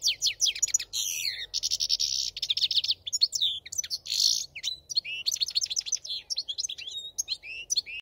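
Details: European goldfinch singing: fast, high, liquid twittering of tinkling notes mixed with buzzy, rasping trills and short sweeping slurs, delivered almost without pause, with no other sounds.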